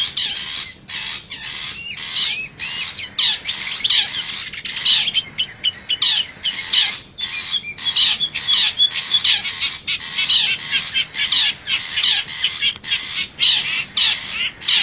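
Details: Wild forest long-tailed shrike lure recording: rapid, varied chattering of scratchy harsh notes and short squawks, delivered in dense irregular runs with brief gaps, a busy and restless sequence.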